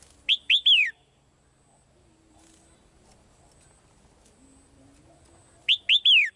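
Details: Singing in a cage to attract the male, a female bird gives a three-note whistled phrase, then a long pause with faint low hum, before the same bright descending phrase returns at the end.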